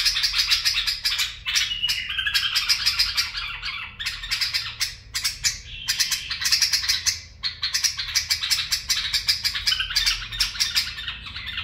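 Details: Extended bulbul singing in the barwaz and mfaraah styles: fast, bright pulsed notes alternating with smoother warbled stretches, kept up for nearly twelve seconds with only brief pauses.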